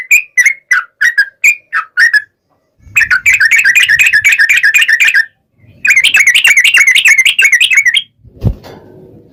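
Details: Yellow-vented bulbul lure song in a long rolling style: a series of separate liquid notes, then two long rapid chattering trills, ending with a sharp knock and faint background rumble.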